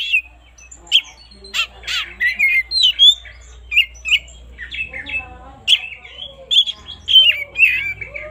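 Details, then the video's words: Morning song of an oriental magpie-robin, used to spur lazy birds into singing: short whistled phrases and harsh squawky notes repeated in bursts about every half second, over a low steady hum and faint lower sounds. "suara burung kacer gak ada ahlak"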